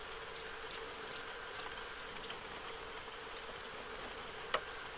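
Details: Western yellow wagtail family bathing at Lake Hornborgasjön, Sweden, on 15 August 2023: two thin, high, down-slurred call notes about three seconds apart, faint over a steady low droning hum.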